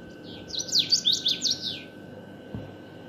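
A common waxbill sings a quick, high, buzzy twittering phrase of about six notes lasting just over a second, over a steady faint hum and one soft thump.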